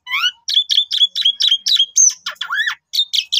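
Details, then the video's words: Asian pied starling singing a morning prompt phrase: a rising whistle, then a steady string of short chirped notes about four per second, a high slur and a looping falling-rising whistle. "Pancingan Suara Panjang Cukup 1 Menit !! Jalak Suren Manapun Ikut Gacor"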